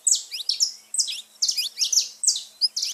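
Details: Saffron finch song played to stimulate pet birds, a continuous stream of bright, sharp high notes with downward slurs, delivered in rapid clustered phrases.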